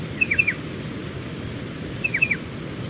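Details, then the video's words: Striated Pardalote calling from a tree among coastal dunes on the Mid-North Coast of New South Wales, where it nests in burrows: two quick sharp three- to four-note chipping phrases, about two seconds apart, against steady wave noise. "Striated Pardalote sound"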